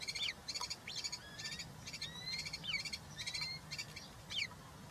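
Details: European roller nest with three chicks being fed, recorded on 20 June 2023 by a live nest camera: repeated short buzzy rasping calls about twice a second over steady low background hiss.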